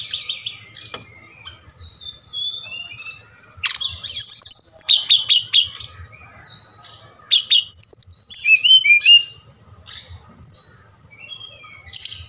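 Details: Brown-chested jungle flycatcher from Bali, played to stimulate reluctant captive birds: a long, rich run of varied whistled phrases, rapid chirps and slurred notes in loud bursts, pausing briefly before resuming, faint hum throughout.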